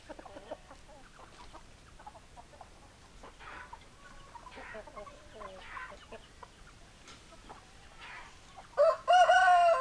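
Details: Hens clucking in a flock, low rapid clucks repeating several times a second, closing with a sudden loud, harsh, strained squawk from one bird near the end.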